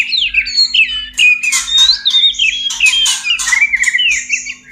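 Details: Mating song of a caged white-rumped shama, meant to bring birds into breeding condition; high sweeping whistled phrases rising and falling, broken by scratchy bursts, over a faint low steady hum.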